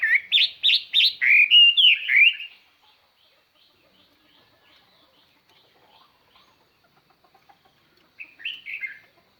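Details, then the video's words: Caged decoy Chinese hwamei singing to lure wild birds, its song described as very clear and far-carrying: a loud burst of rapid, rich whistled phrases for about two and a half seconds, a long silence, then one short whistled phrase. "tiêng chim hoa mi mồi hót"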